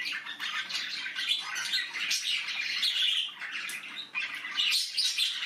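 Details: Several budgie babies calling from inside the nest: a steady wash of scratchy, high chirps and squeaks, briefly thinning near the middle, then building again.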